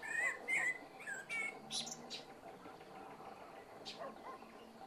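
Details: Common blackbird's unhurried evening song opens with quick warbled fluty notes and high squeaks, then fades into quiet background with a few faint high chips and soft noise.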